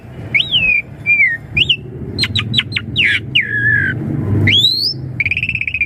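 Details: Asian pied starling lure song for young birds: slurred whistles and a burst of rapid clicks, a rising squeal, then a fast buzzy trill, over a steady low background hum.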